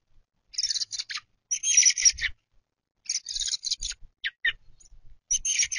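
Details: Young American robin fledglings begging at a backyard feeder in May, waiting for their mother to feed them; grating high chatter in repeated bursts, a couple of short thinner notes in between, faint low bumps.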